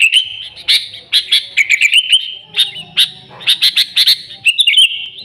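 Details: Sooty-headed bulbul chatter recorded without fill-ins for luring: quick chirps mixed with warbled whistles that rise and fall, in short lively bursts.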